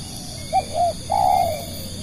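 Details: Lure spotted dove used to draw in other doves, calling once: a brief soft coo, a second short coo, then a longer sustained, slightly wavering croo that fades, with a faint high steady hum behind.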